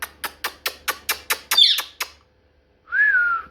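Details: Pet parrot in a small room: a run of nine sharp clicking taps about every fifth of a second, a brief harsh squawk, then after a pause a single smooth whistled note rising and gently falling.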